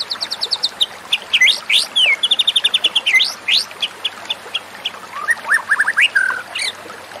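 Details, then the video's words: A White-rumped Shama, recorded as therapy for stressed shamas that stop singing, sings a rapid, varied run of high whistles, clipped chips, quick trills and rising slurred notes, phrases changing every second or so. "terapi murai batu stres macet bunyi"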